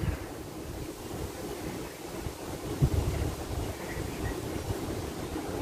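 Steady low rumble of wind buffeting the microphone, with a surf-like wash and one brief thump near the middle; no animal calls stand out.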